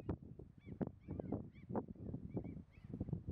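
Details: Two Tundra swans at Martins allé, Munsö, Ekerö, Sweden, on 2 April 2021, give repeated short nasal honking calls with bent, slightly rising notes, several in quick overlapping succession over steady low rumbling background noise.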